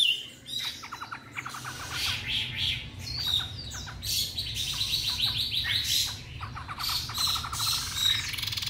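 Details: Young white-rumped shama, three months old, freshly acquired and singing at length in Hanoi, Vietnam: dense, varied phrases of quick whistles and buzzy rattling trills, with bursts of fast repeated notes.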